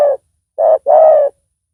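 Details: Spotted dove calling as a decoy to attract a rival bird; a coo fragment, then a short note and a longer hollow coo, low and even.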